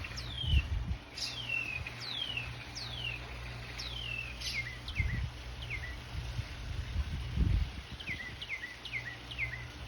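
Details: Northern Mockingbird singing in the morning at a church, a fast series of high, sliding, downward-swept whistles repeated in quick runs, over low rumbling background noise and faint rustling.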